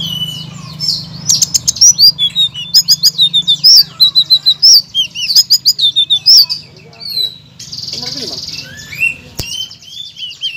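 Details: Blue-crowned laughingthrush master song for stirring silent murai batu, kacer and cak ijo into loud song. Rapid bursts of sharp, high chirps repeat in lively clusters, broken by a brief hissing squeal and one click.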